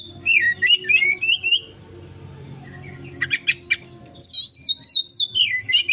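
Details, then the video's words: Oriental magpie-robin in a 'konslet' lure song for quick response: loud whistled phrases sweeping between high and mid pitch, a burst of sharp notes midway, then a bright rising run, over a steady low hum. "Pancingan Burung Kacer konslet,respon cepat...!"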